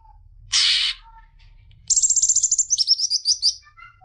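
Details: Greater green leafbird singing to stimulate young birds, a harsh buzzy burst followed by a high rapid trill of sharp notes that slowly descends; faint low hum behind.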